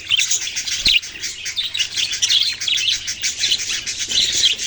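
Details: Young budgerigars keep up a lively, unbroken twittering, bright high notes rising and falling in overlapping bursts, one soft knock heard early on.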